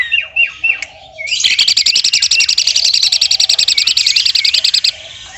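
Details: Master recording of an Asian pied starling imitating a woodpecker: a few chattering notes and soft low hums, then a long rapid rattle of repeated pulses over roughly four seconds.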